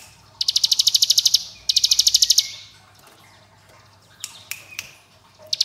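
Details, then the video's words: Prinia delivering two fast rattling trills of high, evenly spaced notes, each about a second long, followed by scattered sharp chips, over a steady low hum. "Ciblek Gunung Ngebren AK47 Durasi Panjang"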